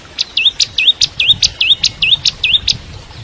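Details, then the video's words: Bar-winged prinia singing for shama tutoring, a very regular series of about eight high two-part notes, a sharp tick sliding into a rising hooked whistle, roughly three per second. "Masteran Cimblek Kristal Gacor (masteran murai Batu trotol)"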